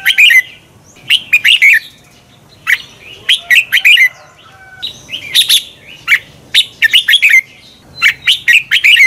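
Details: Red-whiskered bulbul singing in competition style, a double twisting voice: bright, liquid warbled notes grouped into quick phrases of three to five notes, with brief silent gaps between bursts.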